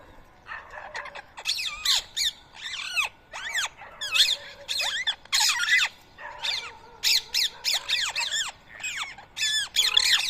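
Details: Morning feeding in Coimbatore, India, 7:00 AM, 31 March 2024: rose-ringed parakeets eating soaked boiled rice give loud, screechy, down-curving squeals in rapid overlapping bursts, many birds calling at once across ten seconds.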